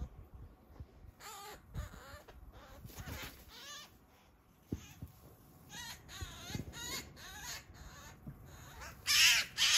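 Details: Eurasian magpie in a backyard, about three meters from the recordist, during a roughly 15-minute attack by a Eurasian sparrowhawk: harsh, rasping chattering calls in irregular bursts, about two a second, growing louder toward the end.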